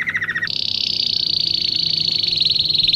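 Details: Song of a domestic canary, meant as a lesson for young birds in training: a short lower rolled trill gives way to a long, very fast, high, fine trill sustained to the end, with faint background hum.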